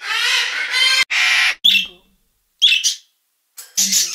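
A parrotlet gives two long, harsh, buzzy squawks, then several short, high, scratchy chirps separated by brief pauses.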